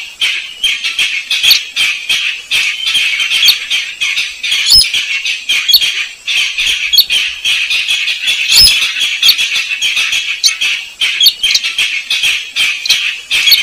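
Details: Slaty-breasted rail lure call used to draw the birds out: a rapid, steady run of sharp, high ticking notes, several per second, with a couple of louder squawks.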